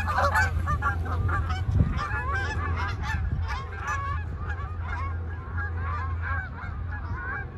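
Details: Canada geese landing and flying off in a continuous run of overlapping honks, loudest at the start and easing off, above a low steady rumble.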